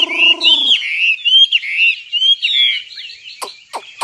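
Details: Nightingale song of flowing, warbled whistles that rise and fall in quick succession, closing with three sharp, dry clicks.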